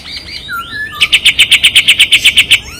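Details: Kapas tembak white-eye trained-bird master song, sharp and tight besetan style: a few looping whistles, then about fifteen loud, high, evenly spaced chips delivered in quick succession.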